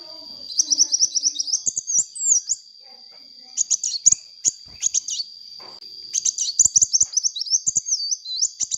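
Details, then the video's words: Sunbird in full song for luring other birds: repeated bursts of rapid high chirps and looping whistles separated by short pauses, three main phrases, with scattered clicks and a continuous thin high tone. "suara burung kolibri gacor untuk pancingan bunyi kolibri bahan"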